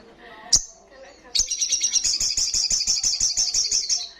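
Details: An olive-backed sunbird (sogok ontong) gives one sharp chip, then a fast, shrill ngalas trill of rapidly repeated high notes lasting nearly three seconds, with soft lower twitters at the start.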